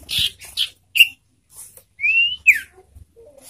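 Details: Caged sirtu kept for loud, ringing song: short high chirps, then a clear whistled note sliding upward followed by a sharp downslurred note, with quiet gaps between phrases.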